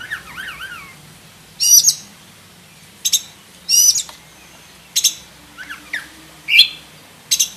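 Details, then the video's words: Black-breasted oriental magpie-robin (kacer dada hitam) singing a full 'isian' repertoire meant as a master for other birds: two wavy whistled notes, then sharp high chattering bursts spaced about a second apart. "KACER DADA HITAM ISIAN FULL ISTIMEWA - COCOK BUAT MASTERAN KACER KALIAN"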